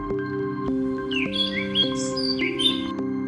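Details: Canary (Serinus canaria), song.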